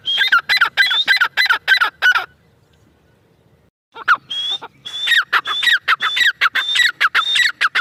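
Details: Grey francolin female (teetar) uttering a rapid series of harsh notes with thin high whistles and dropping squeals, a gap of near silence midway, then the repeated phrases resume equally loud.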